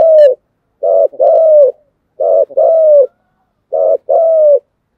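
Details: Spotted dove cooing continuously, called thúc gù: three phrases, each a short throaty burst followed at once by a longer, level, mellow coo that fades slightly, repeated about every one and a half seconds in silence.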